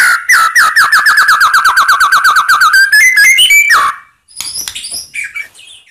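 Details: White-rumped shama song meant to provoke rival birds into answering: a fast run of repeated slurred whistles rising in pitch, ending in a brief mix of higher sharp notes and a short pause.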